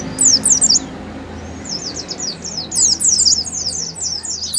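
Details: Oriental white-eye in 'ngalas' song, played to prompt caged birds to sing: a short burst of high, thin slurred notes, a pause of about a second, then a longer, denser twittering run.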